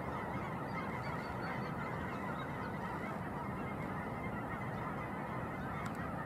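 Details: Large flock of geese gathering at sunrise above Shillapoo Wildlife Refuge near Vancouver, Washington; unbroken chorus of many honking birds blending into a thick roar, with a brief sharp click near the end.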